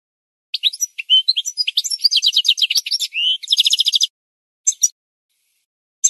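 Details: Goldfinch singing for a bird-training recording: three seconds of rapid twitters and a buzzy, rattling trill, then silence broken by two brief isolated chirps.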